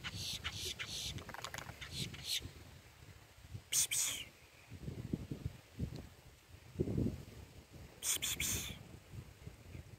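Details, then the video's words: A boat-tailed grackle, recorded 25 September 2022, gives harsh, rasping calls: a quick series of scratchy notes, then two louder grating bursts a few seconds apart, over low rumbling wind or handling noise. "boat tailed grackle call"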